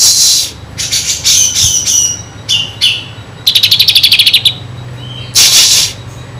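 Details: Energetic kinoi song packed with kapas tembak imitations, used as tutor material for magpie-robins: high squeaky notes, a fast even rattle of about a dozen clicks, then a harsh high buzzy burst.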